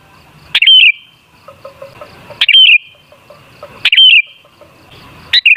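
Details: Song of the sooty-headed bulbul (kutilang) used as a lure to get bulbuls singing: four crisp warbled phrases roughly one and a half seconds apart, with faint quiet chips in the gaps.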